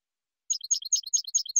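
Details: Silvestrismo recording of a European goldfinch singing: fast, high, liquid twittering of paired notes in rapid succession, clean and free of background noise.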